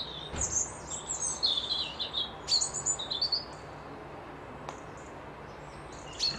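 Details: Several wild birds whistle and chirp at a lakeside lodge in Dundee: quick, high twittering phrases cluster in the first half, then sparse sharp notes over a faint constant low hum.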